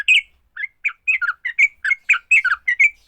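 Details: Sooty-headed bulbul fighting song aimed at drawing song from other bulbuls: loud, rich chirps and slurred notes in a quick irregular series, with a few short rising whistles.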